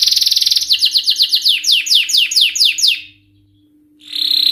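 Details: Highly excited male canary: a buzzy trill turning into a series of descending whistled sweeps, then a second of silence before a new bright trill starts.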